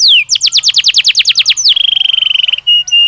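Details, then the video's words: Belgian canary singing naturally: one long falling whistle, a rapid series of repeated down-slurred notes, then a fast buzzy trill and a steady held tone with short clear whistles. "Som de 1 Hora com Canario Belga Cantando Naturalmente"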